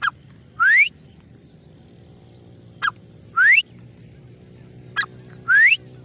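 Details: Grey francolin repeating a short sharp note followed by a loud upward-sliding whistle, the pair recurring about every two and a half seconds against a steady low hum.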